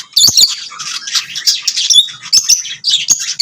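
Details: Chirping lovebirds pour out fast, shrill twittering. Thin whistled notes and squeaky rising slurs run almost without a pause.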